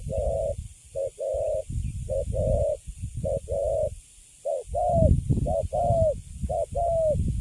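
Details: Recently caught Cấn Sấm spotted dove in a cage, cooing with good tone. Paired short-then-long hollow notes repeat steadily, some later notes gliding slightly downward, against a noticeable low rumbling background.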